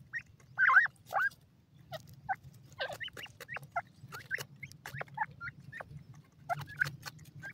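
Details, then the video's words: Grey francolin chicks uttering brief, scattered peeping notes and upward-bending chirps, a few louder bursts near the start, over a constant low hum. "white teetar ke bachay,partridge bird soundd"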